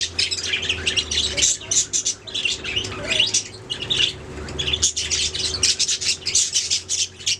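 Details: Several budgerigars singing together, a dense stream of buzzy chirps and squawky warbles packed high in pitch, in bursts with brief pauses, with a faint steady low hum underneath.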